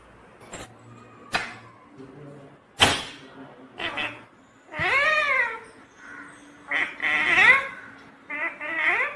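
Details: Pet talking parrot giving loud harmonic calls that arch upward then fall, meow-like, in separate bursts about two seconds apart, with quieter clicks and short noises between them.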